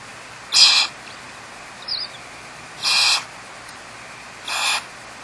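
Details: ['Barn owl pair with four or five chicks in a nest cavity in an old eucalyptus tree, Starr Ranch Sanctuary, Trabuco Canyon, California. Three harsh, breathy hissing screeches, each about a third of a second, irregularly spaced, plus one faint short thin note between them.']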